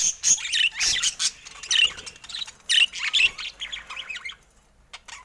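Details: Budgerigars in a cage chattering in quick, high, twittering phrases with short whistled slides, fading toward the end.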